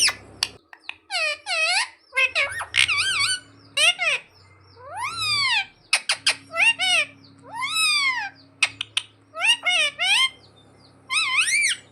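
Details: Pet parrot mimicking the words "mummy papa": a run of harsh, rising and falling squawky syllables with rich overtones, in short bursts separated by brief pauses, with a low steady hum underneath.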